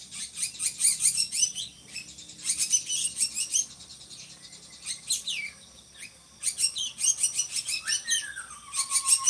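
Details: Drongo singing strongly, kept to tutor other songbirds; loud bursts of high, grating chatter alternate with quieter gaps, ending in a long, slurred, descending whistle.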